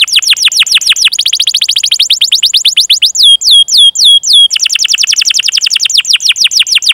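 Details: Canary song made as a lure to prompt young canaries or ones that stopped singing, long chirping 'cuit cuit' and rolling delivery: rapid tours of falling whistled notes, then slower, sharper swooping notes, then a fast trill again.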